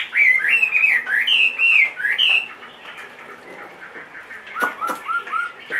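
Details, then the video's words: Caged Chinese hwamei, a large-bodied bird two and a half years old, singing loud rich whistled phrases that swoop up and down for two seconds, then softer, lower rising notes after a quieter pause. "HM 450 hót mọi địa hình"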